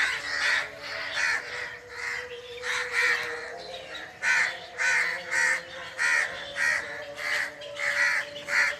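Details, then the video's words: Harsh, grating bird calls in forest, delivered in uneven runs of short rough notes, some bursts close together and others spaced out, against a quiet humming background. "the original sound of birds under the forest"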